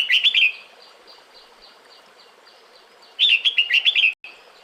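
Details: Female red-whiskered bulbul calling the male in the breeding season, with two bursts of rapid, chattering whistled notes, faint soft repeated notes in between, and an abrupt cut near the end.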